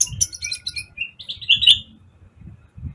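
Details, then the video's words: Vigorous sunbird singing from a training recording: a quick run of high sharp chirps falls into a string of thin whistled notes, then the song stops while soft low knocking sounds continue. "masteran kolibri ninja gacor"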